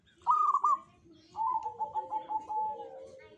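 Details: Local Zebra dove of the Jogoboyo kind, said to draw good fortune: a loud, quick, rolling coo, then a longer, fluttering, descending coo sequence, with other doves cooing faintly.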